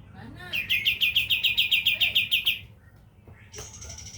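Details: Sooty-headed bulbul, known locally as kapas tembak, in its 'tembakan' song style: a rapid string of about fourteen bright, ringing notes delivered evenly over two seconds, then a pause and a short higher note, with a faint human voice.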